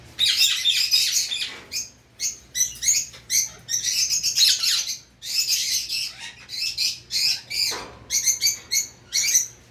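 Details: Pet Indian ringneck parakeet calling in a run of harsh, high screeching squawks, short bursts following one another almost without pause, with a brief quieter gap near the middle and a faint low hum beneath.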